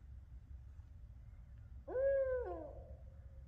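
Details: An owl hoots at Pinson Mounds State Archaeological Park, Tennessee, on November 29, 2023: one rich, slightly rising hoot held about half a second, then sliding down and fading, over a low background rumble.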